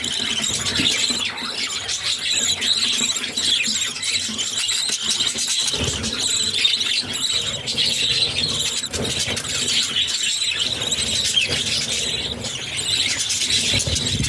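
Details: Six budgerigar chicks being fed by their parents keep up a continuous, high, raspy squealing and chittering as they beg, with brief louder bursts.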